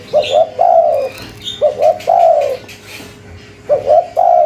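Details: Spotted dove, local type, calling busily: three phrases of two short soft coos rising into a long low coo, spaced roughly 1.5 seconds apart, light chirping of other birds in the background.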